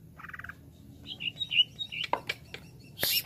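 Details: Cucak ijo, the greater green leafbird, in jamtrok wik wik song: a short trill, then slurred high whistles and scattered sharp chips, with a low background hum.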